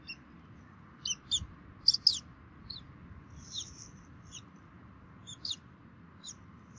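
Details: Bald eagles at a Minnesota nest on 3 May 2016, filmed by a nest camera during feeding by both parents: scattered high, squeaky chirps, a few doubled, fading later against a steady low hum.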